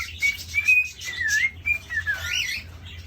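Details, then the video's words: Male cockatiel courting a female inside a cage: a warbling whistle that rises, dips and rises again, followed by a falling slurred note among scratchy chatter. "Cockatiel Courting Ritual/ Behavior Compilation"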